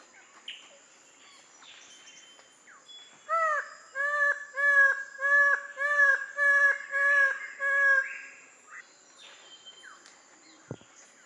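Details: Twelve-wired bird-of-paradise in Papua giving a loud run of about nine harsh, nasal, evenly spaced notes over roughly five seconds, each note slightly arched, above a quiet background with a faint steady insect hum.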